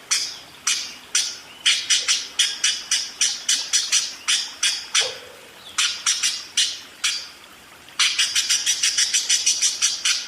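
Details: Budgerigar singing ngerol: long sequences of rapid, harsh, high chirps at a steady beat, ending in a very fast, dense chatter.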